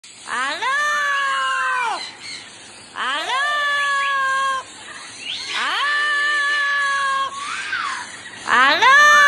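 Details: Pet double yellow-headed amazon, a talking parrot: four loud, drawn-out, voice-like calls, rising then falling, each about two seconds long, like shouted words.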